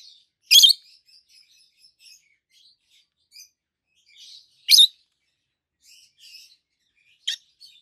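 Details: Two healthy adult peach-faced lovebirds, green with red and yellowish white faces, chirping; three loud piercing chirps spaced roughly four and two seconds apart, with quiet chatter and twitters filling the gaps.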